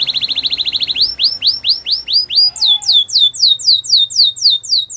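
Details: Song of a Belgian canary: a quick rattling trill gives way to slower, clear downslurred notes, then a string of high, falling whistles roughly four per second.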